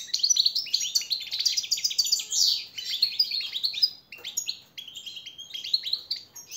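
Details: Captive European goldfinch singing a training song used to teach and motivate other caged birds: fast, bright twittering and tinkling phrases, dense and continuous with brief pauses near the fourth and fifth seconds.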